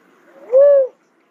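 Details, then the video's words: One soft, low, rounded whoop from a cuckoo-dove, briefly swelling and falling away, followed by silence. "cuckoo dove call sound"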